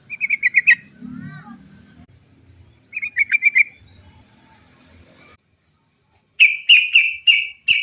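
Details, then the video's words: Sooty-headed bulbul rolling "cok cok cok" trills used as a lure: three short rapid trilled bursts separated by pauses, with soft low rumbling and faint other chirps between. "TRUCUK GACOR ROPEL PANJANG... suara cok cok cok ngerol PANCINGAN burung trucukan agar cepat bunyi"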